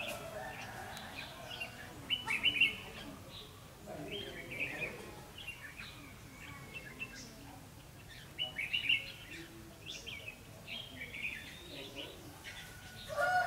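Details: Red-whiskered bulbul during bird trapping with a decoy on 9 December 2015: short bright whistled and chirped phrases arriving in bursts every few seconds, with steady background noise and faint other sounds between phrases.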